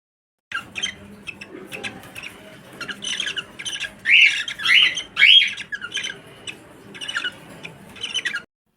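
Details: A cockatiel breeding pair during mating gives harsh, rising squawks and chirps, repeated in quick bursts, loudest toward the middle.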